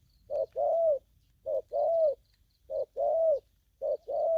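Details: Aggressive spotted dove repeating a two-part coo, a brief note then a longer one that rises and falls, about once a second, fairly clean with faint high background tones.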